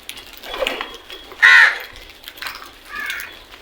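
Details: Morning crow call: one loud harsh caw in the middle, with fainter bird calls before and after.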